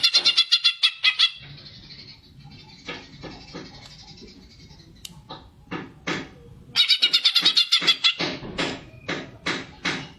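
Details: Greater green leafbird giving a fighting song meant to stimulate other birds, young or trainee ones: bursts of rapid, harsh, buzzy repeated notes open and close the passage, with a quieter stretch of scattered clicks and scratchy notes between.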